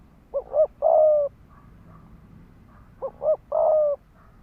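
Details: Ground-decoy spotted dove cooing to incite males into fighting; a paired short double note leads into a long flat coo, heard twice with a quiet pause between.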